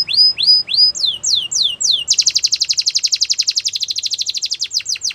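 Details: Song of a canary, played for training young birds to sing: a few rising whistled slurs, then a long rapid rolling trill of sharp repeated notes with changing pace.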